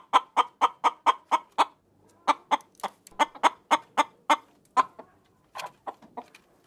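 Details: Chicken clucking in quick, regular runs of short, sharp notes, about four per second. Two bursts are split by a brief pause, with a few softer, faster clucks at the end against a quiet background.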